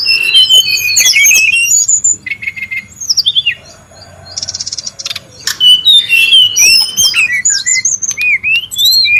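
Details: Noisy wild brown-chested jungle flycatcher, heard as a long run of varied high chirps, squeaky slurred whistles and short buzzy trills. A brief lull falls midway before the excited chatter resumes.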